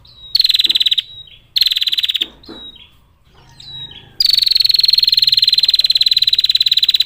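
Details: Female bar-winged prinia calling to males with a long clear 'ngetir' trill: rapid, rattling, high pulsed bursts, two short trills then a long unbroken trill of several seconds.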